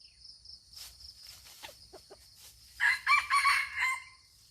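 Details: In Aceh a red junglefowl gives a quieter, more distant crow near the end: a rough, stuttering phrase of several pulses. Scattered clicks and rustles and a high insect whine come before it.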